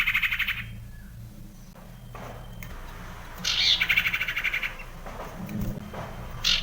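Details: Common iora recorded in the wild: pulsed, rattling buzzy phrases in several bursts, the loudest in the middle, over steady low background noise.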